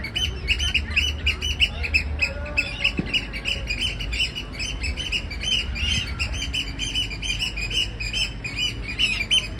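Eurasian oystercatcher giving shrill, piercing whistles in fast, unbroken series, high and ringing, over a low hum of city traffic.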